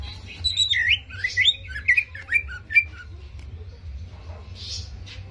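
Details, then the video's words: Greater green leafbird song, played to provoke another bird's aggression: about three seconds of bright, slurred whistles that dip and rise, delivered in quick separate phrases, then near silence over a steady low hum. "PANCINGAN CEPAT MENAIKAN EMOSI CUCAK IJO"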